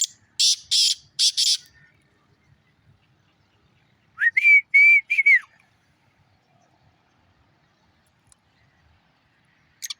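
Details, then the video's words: Black francolin giving one phrase of five ringing, slightly rasping whistled notes ending in a falling note, preceded by several loud hissing, broadband bursts and followed by near silence. "Kala teeter ka awaz"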